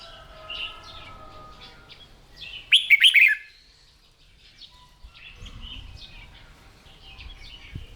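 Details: Red-whiskered bulbul kept in a cage, trained each morning for fighting-style song: one sudden loud, rich warbled phrase in mid-clip, framed by quieter chirping of other birds.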